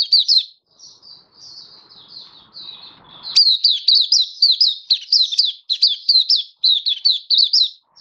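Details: Kept oriental white-eye singing: quieter slurred high phrases at first, then a long lively stream of bright, rapid chirping notes repeated about twice per second.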